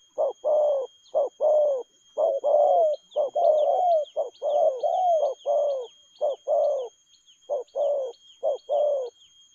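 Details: Spotted dove cooing in the fast 'lèo gù' style, with quick, lively delivery: a dense run of mellow, hollow coos, short notes alternating with longer slurred ones, nearly one per second, while faint high chirps of small birds sound behind.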